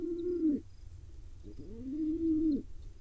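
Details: A tiny wild pigeon chick in Israel begs while its father feeds it. Two drawn-out nasal whines, a short one then a longer one, each ending in a sudden drop.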